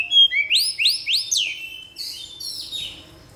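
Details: Caged-style white-rumped shama firing off learned song phrases: four or five bright, upslurred whistles in quick succession, then a softer, scratchy high trill fading out.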